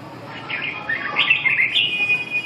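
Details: Red-whiskered bulbul giving a rolling run of quick, clear whistled and warbled notes. The notes rise in loudness through the middle and end on a sustained high tone, with a soft low hum beneath.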